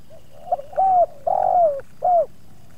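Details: Cooing spotted dove at a luring spot visited by two wild doves, the second offering some resistance: faint soft lead-in notes, then three full falling coos, the middle one longest and slightly rolling.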